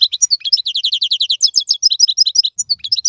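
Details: Wild European goldfinch from the 2022 season, praised as the strongest singer: a fast, steady run of bright buzzy twittering notes, repeated several times a second, with sharper high chips near the end.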